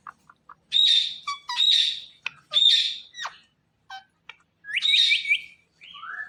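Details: Indian ringneck parrot known for talking, giving three loud, rasping squawks in quick succession mixed with short clicks, then a trill of rising whistled notes and a gliding whistle.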